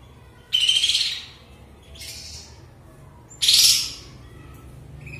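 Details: Sooty-headed bulbul singing again after moulting following a quiet period; a strong bright phrase, a softer one, then another strong phrase, roughly a second apart, over low steady background hum.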